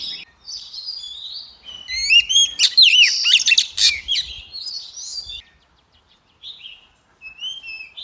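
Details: White-rumped shama female song that stirs males to sing: soft thin whistles rising into a loud burst of sweeping, looping notes around three seconds, then quiet short phrases with gaps.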